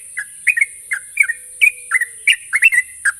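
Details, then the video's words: Sooty-headed bulbul song serving as a lure to bring a young bird into quick, continuous song. Bright, slurred whistles come in uneven couplets with short gaps between them, and a persistent high hiss sits behind them. "pancingan burung trucuk bahan agar cepat ngropel"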